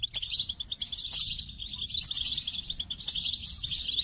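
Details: Goldfinch singing a rapid, continuous high twitter of jangling, tinkling notes with buzzy trills, almost unbroken for four seconds, over a faint low hum.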